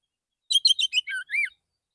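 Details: Male Oriental magpie-robin singing calmly in the morning to call other magpie-robins: one second-long phrase of quick varied chirps falling in pitch, ending with two sweet drawn-out whistles.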